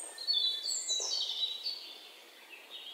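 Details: High, thin chirps and short whistled phrases from a bird, loudest early on and fading into quieter scattered notes toward the end.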